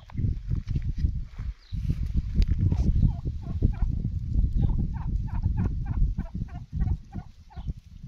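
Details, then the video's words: Wild turkey gobbling: a rapid, rattling series of stuttering notes in the second half, after loud low rumbling and thumping noise that fills the start. "Wild Turkey Bird Sound"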